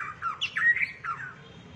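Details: Short excerpt from a shrimp-tailed white-rumped shama's 'rít thuốc lào' song, made of a few harsh, squawky sweeping notes that rise and fall within under two seconds over a quiet hum.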